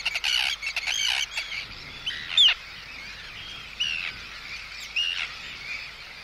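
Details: Close-up Arctic tern threat and anxiety calls aimed at an intruder: a rapid run of grating, scratchy notes, then single harsh, slightly upslurred calls spaced about a second apart.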